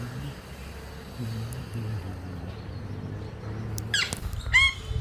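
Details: Rose-ringed parakeet, the Indian ringneck, near a terrace in Sahakarnagar, Pune. After a quiet stretch of low background rumble, a few harsh, screechy, descending squawks burst out near the end.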